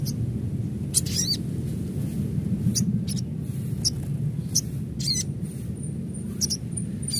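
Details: Adult crimson sunbird calling in a natural recording: short, sharp, high chirp bursts, some with rapid up-and-down sweeps, repeated at irregular intervals over a steady low rumbling background noise.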